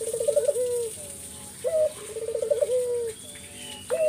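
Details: Spotted dove singing hard in 'gacor' style, used to lure other doves into answering; rapid rolling trills each closing with a falling coo, phrase after phrase at an even pace, light hiss behind.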